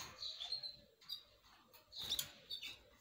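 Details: Canaries giving short, high, thin chirps and quick whistled slurs in two loose bursts, broken by sharp broadband clicks and rustling.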